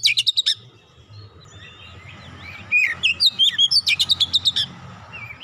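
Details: Oriental magpie-robin singing, used to prompt a silent magpie-robin into full song: a quick series of sharp notes, soft warbled whistles, then a rapid string of loud, clipped repeated notes over a faint low hum.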